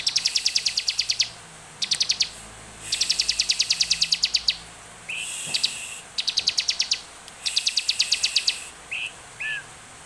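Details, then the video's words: Bar-winged prinia in spirited song, used as a lure to prompt other prinias to sing: dry, buzzy high trills in bursts of one to two seconds, separated by short pauses, with a few thin slurred notes between them. "Ciblek gacor penuh emosi cepat dan efektif buat pancingan ciblek agar bunyi"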